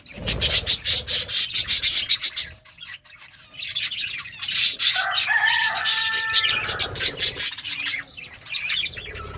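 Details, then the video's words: Budgies chirping while eating green food: rapid pecking and crunching clicks at first, then a run of bright, warbling harmonic chirps and chatter in the middle. "Budgies eating green food budgies chirping sounds"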